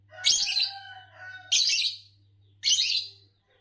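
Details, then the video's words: Green Fischer's lovebird, the green color type said to win Indonesian bird song competitions with long songs, giving loud harsh chirps with a descending tonal tail, three bursts about one second apart, over a faint low hum. "Lovebirds Chirping Sounds"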